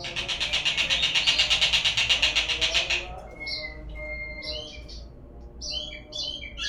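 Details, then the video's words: White-rumped shama lure song to prompt singing: three seconds of rapid buzzy pulsing notes, followed by a low level whistle and scattered high, quick twittering phrases. "suara pancingan burung murai agar bunyi"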